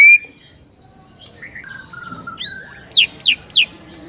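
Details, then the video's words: White-rumped shama singing in the morning: quiet drawn-out whistles, then a loud burst of sharp rising and falling notes repeated about three times near the end, over faint background hiss. "MASTERAN MURAI PAGI HARI INI"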